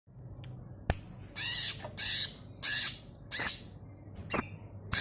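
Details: Greater green leafbird song used as a lure to get other birds singing: harsh, broadband squawking bursts, each about half a second, repeated roughly every second, with sharp clicks between.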